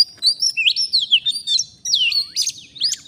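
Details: Oriental magpie-robin, a wild forest bird lured by a fighter decoy in a trapping session, singing loud varied whistles: rising and falling slurred notes with sharp upsweeps and quick chirps, brief pause midway.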